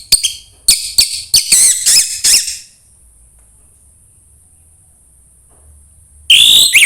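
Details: Orange-headed thrush song played to get a bird singing: a series of sharp, squeaky, high notes in quick succession, then silence, then a sudden loud whistled phrase.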